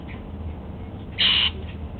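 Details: A single brief, harsh, high call from a male Golden-fronted Leafbird kept as a pet, uttered while he eats apple at breakfast; low indoor hum underneath.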